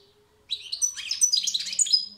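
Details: European goldfinch giving a fast, dense twittering song phrase of tinkling, liquid and buzzy notes tumbling together for under two seconds, with a faint low hum beneath.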